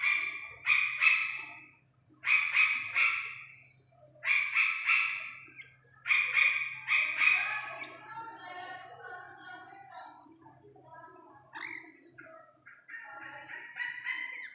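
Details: Young Iranian partridge calling in paired harsh, buzzy notes at steady intervals, fading into softer, rambling chatter and scattered chirps, with a constant low hum behind.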